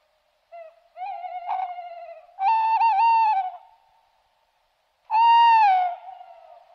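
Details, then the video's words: A tawny owl gives drawn-out, wavering hoots, each about a second long, with short pauses between them against a quiet background. "Серая неясыть"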